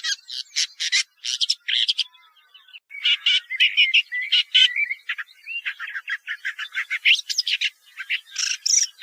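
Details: Woodchat shrike song with grating bursts, then a brief pause, followed by a jumble of whistled slurs, squeaks and rough chattering notes.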